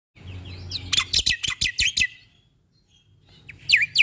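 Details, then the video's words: {'caption': 'Black-winged starling singing in a training recording for caged birds: soft chattering notes, then a quick run of about eight loud, sharp, broadband chips, a pause, and high downslurred whistles at the end.'} "Jalak Putih Gacor Full Isian"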